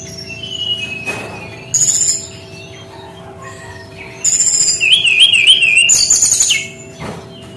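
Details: Brown-chested jungle flycatcher delivering a unique 'tembakan' style song: a shrill burst, then a long, fast, warbling trill of high notes, over a faint steady electrical hum.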